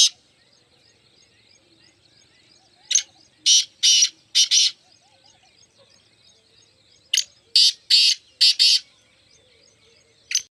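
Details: Black francolin, called mushki teetar, repeats a grating five-note phrase twice about four seconds apart, the notes loud and scratchy in quick pairs, with faint high twittering of other birds throughout.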